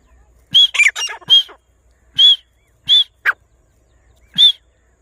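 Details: Grey francolin in grassland giving scattered harsh, ringing squawks, a quick cluster of three or four notes first, then single notes at irregular gaps of about a second.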